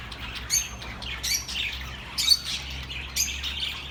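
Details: Relaxing bird sounds meant for lonely pet birds: scattered harsh squawks and chirps in three or four bursts, with a faint low hum between them.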